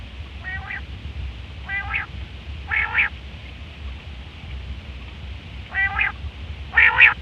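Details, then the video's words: Female quail calls used as a trapping lure: short nasal, harmonic notes, spaced singly about once a second, with a low steady rumble underneath. "female quail sounds"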